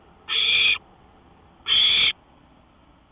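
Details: Owl at 1:53 AM on May 5, 2013, out on a porch, giving two loud, rough hissing screeches about 1.4 seconds apart. Each lasts roughly half a second, and the pause between them is quiet.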